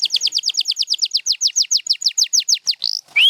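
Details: Rapid series of about twenty sharply descending chirps from a canary, evenly spaced and accelerating slightly, ending with a swelling rising whistle.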